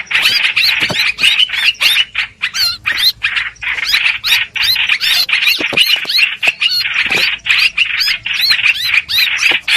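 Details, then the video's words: Lure for bird trapping with a streak-eared bulbul: a steady stream of loud chirping and squawky arched phrases, densely packed and repeating without a clear break. "Tiếng chim hoành hoạch mồi chuẩn"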